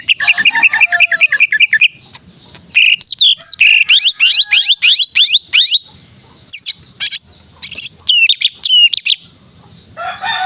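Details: Greater green leafbird, a male bird used as a training master to make other leafbirds sing: rapid trilled notes, then loud bursts of sweeping, rising whistles and chattering phrases, varied and energetic, with brief pauses between.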